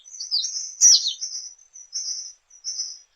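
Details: Thin, very high sustained trill from a Latin American tanager, broken by one louder sharp burst near the start, then fading into two shorter high buzzy trills; quiet background.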